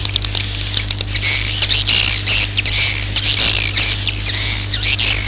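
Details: Roosting swiftlet sounds: a continuous high, scratchy chatter of overlapping chirps and squeaks. A low steady hum plays throughout.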